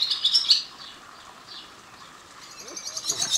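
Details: Barn swallow at Chimur Tiger Resort, Kolara gate, Tadoba, Chandrapur: quick, high, squeaky twitters, about four notes a second, in bursts at the start and end with a brief lull between.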